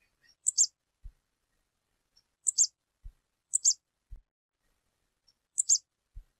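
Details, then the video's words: A female stripe-tailed yellow finch calling in the wild, giving high, thin chirps in quick pairs, repeated every second or two, with occasional soft low knocks between them. "FÊMEA DE CANÁRIO PIRRITA CHAMANDO"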